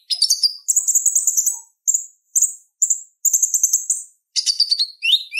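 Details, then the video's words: Purple-throated sunbird (konin) song intended as a master for other songbirds: dense high twittering trills in long runs, broken by brief pauses, ending in sharp downward-sweeping notes. "Suara Ocehan Konin Gacor Tajam Ampuh Buat Masteran Kolibri Ninja | Purple-throated sunbird"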